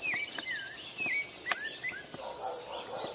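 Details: Rufous-bellied thrush singing a string of clear, whistled slurred notes, several bending downward, delivered every half second or so, against a constant shrill buzzing background.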